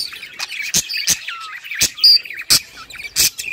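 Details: Budgerigars chirping in a happy mood: sharp high chirps and short warbled notes, with a thin whistled slide, broken by loud clicking bursts about every half second to second.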